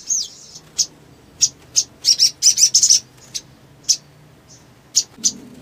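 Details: Little spiderhunter (sogon) used to stimulate other sogon: a downslurred opening note, then sharp high chips spaced irregularly, with a short rapid burst of chirps near the middle.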